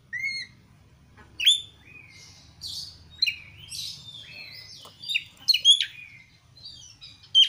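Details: Kacer (Oriental magpie-robin) song used as a lure: softer scattered whistles and slurred phrases with gaps, ending in brighter quick notes, over continuous low background hum.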